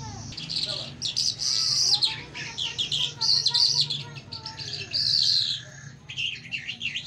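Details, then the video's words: Mashadi-style lark song from Iran and Afghanistan: long, high, buzzy, warbling phrases with brief gaps between them, over a steady low hum. "Mashadi lounda larks irani afghani jal Singing (irani Mashadi Jal) [afghani jal] top jal مشهدي"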